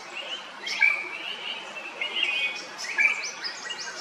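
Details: Drongo from Kerala, India, giving short whistled phrases with brief upslurred and flat notes, repeated about every second, over constant high-pitched insect buzzing.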